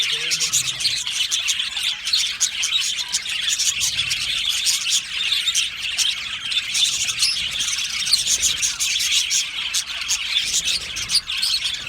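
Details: A colony of Australian budgerigars singing and chirping in an aviary, a long dense chorus of high warbles, quick chirps and scratchy notes overlapping without a break.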